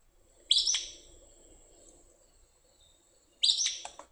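Acadian flycatcher giving two sharp, explosive two-syllable "pizza!" notes about three seconds apart, high and insistent, with a faint thin whistle in the background.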